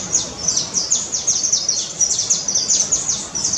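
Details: Red-legged honeycreeper near a guesthouse at Cumuruxatiba, Bahia, Brazil: a rapid run of very high, thin descending chips, several per half second, with a faint background hiss.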